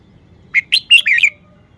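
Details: A single sharp red-whiskered bulbul phrase showing its song phrasing: four or five bright, slurred whistles in quick succession, the last notes running together.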